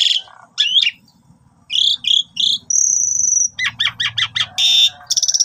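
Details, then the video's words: Javan pied starling used as a trapping lure, singing a busy, varied run of loud chirps, harsh squeaks and a long flat whistle, with stuttered note bursts near the end and a faint low rumble beneath. "Pancingan Jitu Jalak Suren full Gacor Mompa Istimewa"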